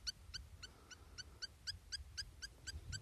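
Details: Spur-winged lapwing repeating crisp, high, ringing notes at a quick even pace, about four per second, over quiet low background noise.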